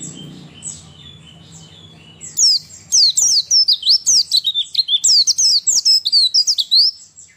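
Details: White-eye song used as a lure to stimulate lazy or reluctant birds to sing; after a faint high start, a loud rapid run of sharp, high chirps and twisting whistled notes begins near 2.3 seconds and continues to the end.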